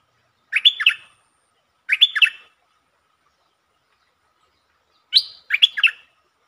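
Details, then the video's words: Streak-eared bulbul singing a lure-style song with long and doubled phrases, recorded 13 February 2023: three short bubbly, warbled phrases, each rising then dropping, spaced irregularly across a quiet background. "มีเพลงยาว เพลงเบิ้ล Suara pikat merbah lekir"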